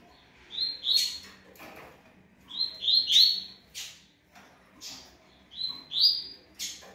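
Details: Yellow-bellied seedeater song in the puro malte style, from Ribeirão Preto, São Paulo, Brazil: three short bright phrases of buzzy, slurred notes, each sweeping upward near the end, spaced about two and a half seconds apart, with sharp clicks between them.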